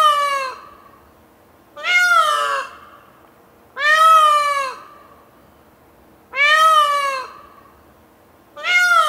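An Indian peafowl gives loud, nasal, wailing cries, each under a second, that rise then fall. They repeat about every two seconds against a quiet background.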